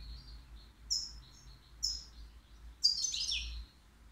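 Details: Caged European goldfinch, three years old, at the Al Qriaa bird market, known for error-free singing. Two thin high notes about a second apart lead into a sudden buzzy, tinkling burst.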